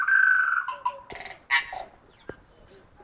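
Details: Tui song: a long, loud, steady whistled note, then a short dip, sharp clicks, a harsh wheezy burst and a few faint high tinkling notes.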